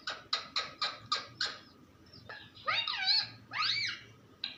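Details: Talking parrot: five quick rasping notes about a quarter second apart, then swooping, whistled, speech-like squawks that rise and fall. Low background hum.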